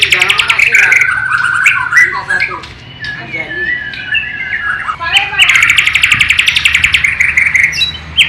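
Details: Borneo white-rumped shama from East Kalimantan, Indonesia, performing mimicked sikatan londo (nightingale) phrases: loud rapid chirping trills at the start and end framing softer varied whistles and slurred notes, with steady low hum underneath.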